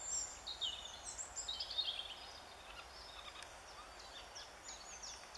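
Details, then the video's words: Eurasian jay giving soft, sweet spring talk on 25 April 2013: a run of varied high squeaky and chattering notes in the first two seconds, then fainter scattered clicks and short high notes. "Eichelhäher im Frühling - Jay in spring - Garrulus glandarius"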